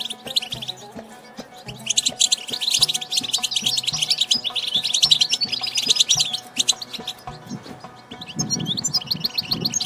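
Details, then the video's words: European goldfinch in the wild giving its chattering twitter: rapid, high, liquid trills and tinkling notes running almost nonstop, easing off before a final burst. Low rumbling noise and a steady tonal hum sit below. "بتبتة الحسون من الطبيعة"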